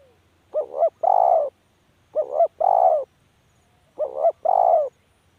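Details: Spotted dove calling three times, each phrase a quick doubled coo then a longer mellow coo, repeated roughly every one and a half seconds against near silence.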